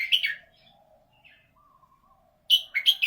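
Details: Red-whiskered bulbul singing in a prized 'golden voice': a bright warbled phrase, a long pause with faint soft notes, then three sharp, lively whistled bursts, over a low background hum.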